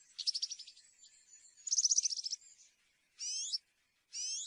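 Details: European serin in field-style song, cante campero: two bursts of rapid, fizzy, stuttering high notes, followed by two brief rising whistled slurs separated by short pauses.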